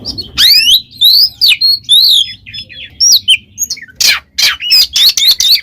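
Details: Oriental magpie-robin in full gacor ngeplong song, loud and free-flowing: swooping whistled slurs and warbles delivered rapidly, ending in a burst of harsh chattering notes and quick whistles.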